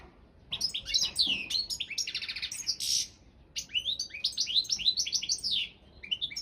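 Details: Competition song of a Carduelis carduelis balcanica goldfinch entered in a song championship, a lively high-pitched jumble of liquid twitters, short trills and a buzzy note, pausing briefly before another rapid twittering phrase.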